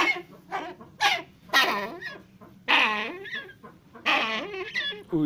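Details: A Brown eared pheasant (Crossoptilon mantchuricum) at a pheasant nursery, eating from a hand, gives a string of harsh, loud, tonal squawks, some rising then falling, in irregular bursts roughly every second.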